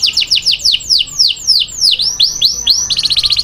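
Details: Canary singing taghreed-style song used to train chicks: rapid series of bright, high, downward-sweeping whistled notes, several per second, some slurred and rising, ending in a fast, buzzy, evenly pulsed trill.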